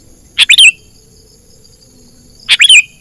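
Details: Sooty-headed bulbul lure call for trapping birds in the wild: two identical phrases two seconds apart, each a quick burst of chirps ending in a clear falling whistle.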